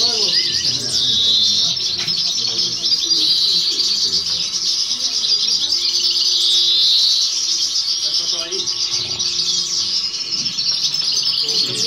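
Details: A young first-year captive European goldfinch singing at a song contest in 2018/2019: a continuous, rapid tinkling twitter of bright, high notes with liquid trills, under faint background voices.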